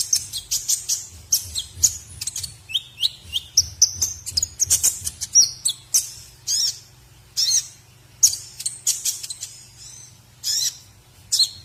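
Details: White-rumped shama song used as training material for other birds: rapid, high-pitched chips and sweeping whistles in close succession, some notes sliding downward, with short pauses breaking the run.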